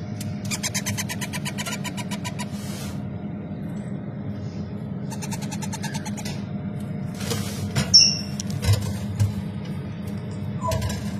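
Grey parrot chicks give two bursts of rapid, raspy, pulsed calls, then a brief high whistle and clicks, over a steady low mechanical hum.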